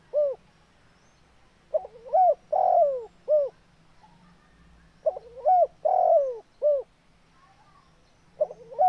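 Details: Spotted dove in full voice repeating its cooing phrase roughly every three seconds: a quick rising stutter, short arched notes and one long descending coo, with a faint hum behind.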